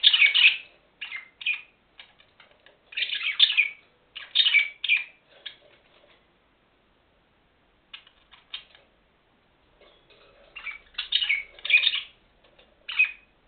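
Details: Budgerigars bathing in an aviary bath with carrot greens chatter in bright, scratchy bursts of high chirps and warbles separated by brief pauses.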